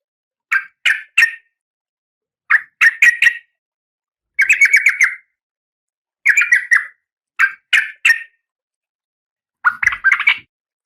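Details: Female oriental magpie-robin in breeding condition calling to the male: six bursts of three to five quick, buzzy chattering notes, strongest in the mid range, separated by short silences, with a clean, quiet background.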